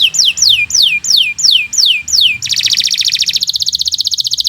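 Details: Canary training song: six loud descending whistled sweeps at a steady pace, then a rapid, buzzy high trill rolling to the end.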